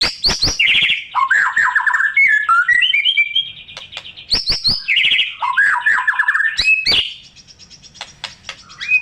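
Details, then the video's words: Gacor white-rumped shama, a full song rich in mimicked phrases, used as bait to set silent shamas singing: loud whistled sweeps, rapid descending trills and sharp high clicks, fading to a softer closing note. "Murai Batu Macet Auto Bangor MATERI // Dengan Suara Murai Batu Gacor Isian MEWAH"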